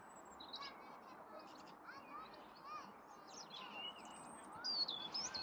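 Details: Robin redbreast song, quiet and distant-sounding: scattered high, thin trills and short warbled phrases, ending in a clearer high whistled flourish, against a constant hum of background noise.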